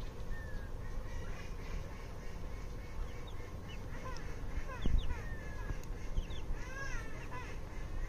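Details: Baby chicken chicks playing and eating give many thin, quick peeps, some falling and some arched, in loose overlapping bursts over a steady low rumble.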